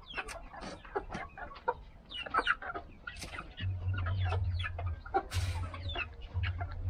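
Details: Flock of mixed-breed chickens such as Australorps, Polish, Rhode Island Reds and Silver Laced Wyandottes, clucking rapidly and irregularly, with a low mechanical hum swelling in and out partway through.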